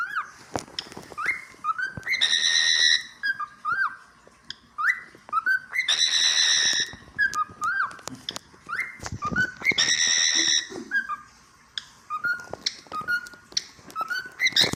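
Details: Cockatiel (Nymphicus hollandicus), song.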